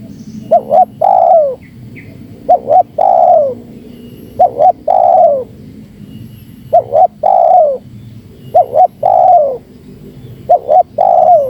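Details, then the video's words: Repeated spotted dove coos to draw out and provoke wild doves: five phrases of a double short note and a long falling coo, about every two seconds, over a low rumbling background. "Suara Terkukur Menekan Rapat Lawan Pemancing EMOSI Terkukur liar"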